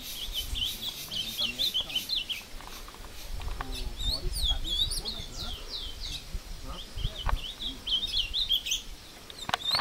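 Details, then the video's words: Captive ultramarine grosbeak in woodland near Passos, Minas Gerais, Brazil, clashing with a wild one; bursts of sharp, high, repeated slurred notes come in short runs separated by pauses, with rustling underneath. "Azulão Cantando e Brigando com o solto no mato"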